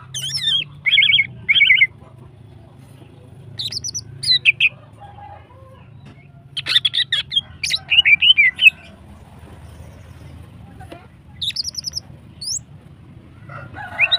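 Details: Greater green leafbird female in long, energetic song intended to stimulate other birds: repeated trilled whistle phrases and sharp chips come in bursts, with a busier run in the middle and quieter gaps between.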